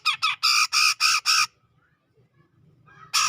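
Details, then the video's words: A grey-cheeked bulbul from the tropical forest of Sumatra, around Medan, sings energetically in ngepik style. Loud, rasping, chattering notes come in a fast series, then there is a short silence and a single harsh note. "Cucak Jenggot Gacor Ngepik"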